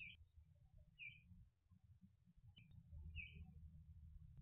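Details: Catbird giving four short, chirpy calls spaced about a second apart, each a brief bright note, over steady low rumbling background noise.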